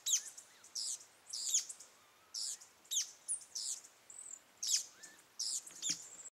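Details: White-naped brushfinch (Atlapetes torquatus), song.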